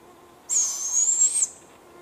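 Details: One of two young barred owlets gives a single harsh, hissing screech about a second long, high and slightly wavering, against a quiet background.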